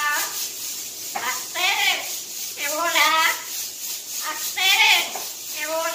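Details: A Cuban amazon sings "La Guantanamera" in a nasal, voice-like warble: wavering, drawn-out phrases rising and falling about every second and a half, with a hiss behind.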